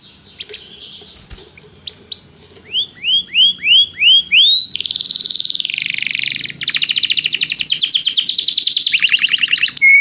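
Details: Canary in song training, calling another canary to join in singing: scattered notes, five loud upswept whistles about half a second apart, then long rolling buzzy trills ending in a short whistle.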